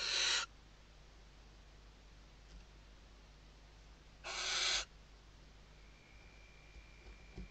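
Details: Nesting female Western barn owl in the Ebro Delta, Spain, 2023 season, calling her male: short raspy screeches, one at the start and one about four seconds later, with faint ticks and a thin whine between.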